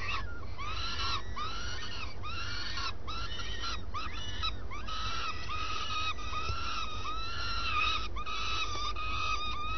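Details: Nesting swift at daybreak, during the changeover between the two adults. It gives repeated hoarse, harmonic calls, each curving up and down, in rapid uneven sequence over a background hum.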